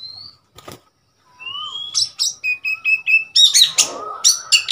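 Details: Oriental magpie-robin in Thailand on 15 February 2021, a wild bird come to the cage: a clear rising whistle, a short pause, then a series of short whistled notes repeated quickly, ending in harsher chattering phrases.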